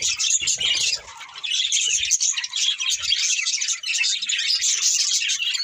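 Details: A breeding pair of budgies chirps and chatters: loud high twittering, briefly softer near one second, then steady scratchy warbling and squeaky notes, with faint low knocking at times.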